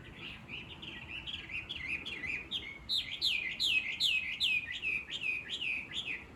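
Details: Chinese hwamei singing in the countryside, the chattering bird that wakes the listener every morning: a loud run of varied whistled phrases with rapid slurred swoops, rising then falling, about two or three notes a second and growing louder midway.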